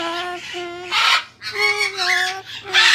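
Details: Umbrella cockatoo in a pet store greeting a regular visitor: loud, nasal, speech-like syllables in short phrases broken by harsh squawky bursts, roughly one utterance per second, indoors.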